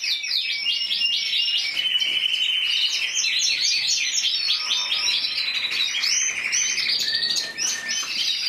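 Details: Intense yellow canary, Spanish individual champion of 2014 with 94 points, singing an unbroken rich song: fast rolling trills and bright warbled phrases, steady and loud throughout.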